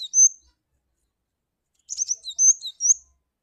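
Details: Cinereous tit (glatik batu) lure call: one thin high whistled note, a long pause, then a rapid burst of chirps and upslurred whistles with short downward flicks.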